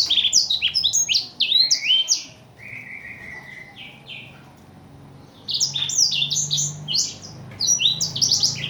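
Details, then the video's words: Imported Blackthroat's nonstop master song: a burst of fast, high chattering notes, a run of lower buzzy trills, a quiet gap of several seconds, then renewed rapid high twittering phrases. "burung master kicau blackthout"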